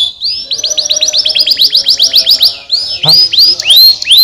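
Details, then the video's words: Canary song used to stimulate lazy canaries to sing: a fast run of high upswept notes, roughly six per second, then a few louder drawn-out rising whistles. "estimulando o som de canários preguiçosos cantando"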